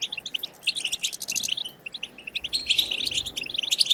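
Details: European goldfinch batbata, played to get goldfinches singing: choppy phrases of quick tinkling and buzzy notes, quieter in the middle, then a livelier twittering run with high sharp accents.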